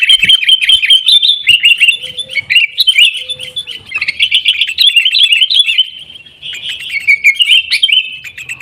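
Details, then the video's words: Energetic sooty-headed bulbul chatter, played as a lure to prompt caged birds to sing: continuous rapid, bubbly warbled notes at fairly high pitch with quick, irregular repeats, easing briefly near six seconds before picking up again. "kutilang gacor TARUNG buat pancingan kutilang agar bunyi"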